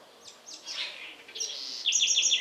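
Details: House wren in the Sertão of Bahia, Brazil: scratchy slurred notes building into a quick, loud trill of repeated high descending notes at the close.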